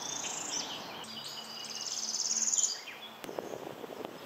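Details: Northern Parula, an abundant May migrant at Mount Auburn Cemetery, Cambridge, Massachusetts, singing its typical song: a fast, buzzy trill that climbs steadily in pitch and snaps off with a crisp staccato ending, over a faint low hum and a steady high hiss.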